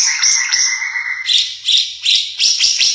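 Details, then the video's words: Ara Mata Merah, a bird endemic to East Nusa Tenggara and increasingly rare, with a distinctive, varied song: long high steady whistles that then break into a quick run of sharp, bright chipping notes. "Suara Burung Ara Mata Merah"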